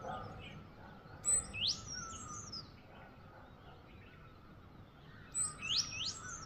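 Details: A bird singing on Eid morning in Bhurban, Murree, Pakistan, giving two bursts of high thin notes, each ending in rapid rising sweeps about four seconds apart, with a constant low hum and quiet background between.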